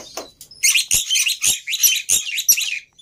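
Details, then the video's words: Black-winged myna song used to coax birds into singing: a rapid series of loud, harsh, buzzy chattering notes, roughly three per second, in a steady scratchy burst. "Sangat Ampuh Memancing Burung Jalak Putih Bahan Cepat Bunyi Anti Mandek || Jalak Putih Gacor"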